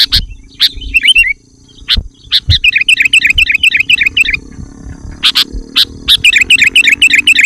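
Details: Sooty-headed bulbul singing freely, a lure and tutor recording: long runs of bubbly, chuckling warbled notes repeated about four times a second, broken by a few sharp clicks and light low thuds.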